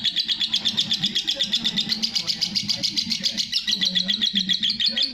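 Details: Long ngekek chatter from a lovebird, quick shrill pulses about four per second running unbroken, with faint low voices behind.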